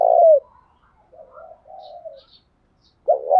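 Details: Spotted dove used as a decoy, calling in the morning to provoke wild males: a loud, low throaty coo opens, soft wavering cooing notes follow, then a clipped coo begins at the end.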